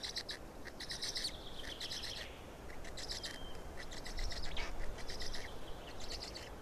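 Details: Fourth black stork chick in Estonia, recorded 18 May 2019: fast, irregular trains of shrill, raspy squeaks, about four per second, fading in and out against low steady noise.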